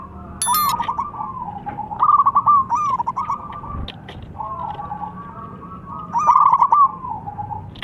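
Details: Local zebra dove calling, answered by a rival; series of soft coos and stuttered trilled phrases, with a few clicks and knocks in the background.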